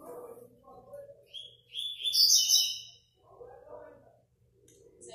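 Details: 1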